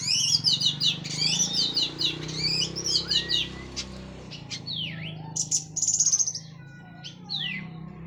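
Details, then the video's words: Orange-headed thrush of local Cililin stock, just finished moulting, singing in the open, rambling teler style: a fast, dense run of varied whistled notes, slurs and chirps, some high and sharp, over a steady low hum. "KICAU ANIS MERAH PLONG + TELER LOKAL CILILIN BERES MABUNG"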